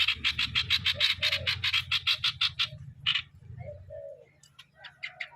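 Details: Decoy streak-eared bulbul in 'sor' song: a quick volley of harsh notes, then a pause with low whistled phrases, then softer chattering notes resuming, over a low hum.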